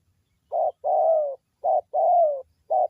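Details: Wild local spotted dove from Indonesia, a vocal bird used as a lure call to provoke other spotted doves: soft low coos alternating short and long, the long notes gently falling, in a short-long-short-long-short pattern.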